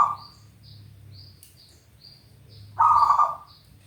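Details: Zebra dove singing: a short trilled coo near the start, then a louder, rolling, burry coo lasting about half a second near the end. Faint high chirps come in between.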